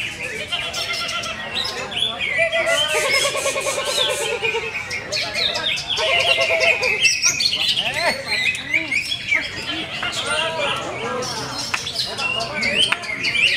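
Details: A greater green leafbird with many contest achievements, offered for sale, pours out a long rich song of quick chirps, looping whistles and two buzzy rattling bursts, continuing at length with voices faintly behind.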